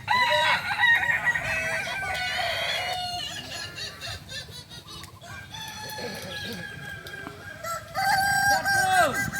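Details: Kokok Balenggek chickens, native to Solok in West Sumatra, crowing at a group practice session: sustained, ringing crows, a softer stretch with distant crowing, then a loud crow returns near the end.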